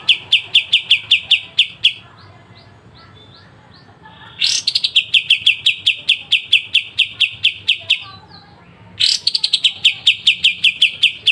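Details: Sharp 'besetan' song of a pied triller used as training material for songbirds: long runs of fast, evenly repeated high piercing notes, broken by short pauses and faint soft notes, each run restarting with a sudden harsh burst.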